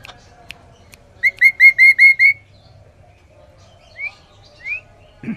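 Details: Sooty-headed bulbul singing loud and clear: a quick run of six identical hooked whistled notes at steady mid-high pitch, followed after a pause by two short rising whistles, with faint low background hum.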